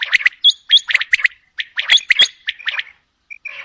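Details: Female common quail calling in rapid, scratchy chirping bursts, several short harsh notes bunched together with a few brief sharp whistled tones, pausing near the end.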